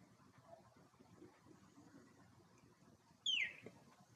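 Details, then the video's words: A male Northern cardinal sings on a weekday evening in a residential neighbourhood, a single loud, clear whistle that slurs steeply downward near the end, over a soft, steady low rumble. "Cardinal rouge, chant / Northern Cardinal, song"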